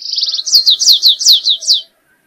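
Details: A Stripe-tailed yellow finch (Sicalis citrina, canário-rasteiro) sings a short, high song: a quick buzzy trill, then about six bright downslurred notes in under two seconds, with a faint low hum beneath.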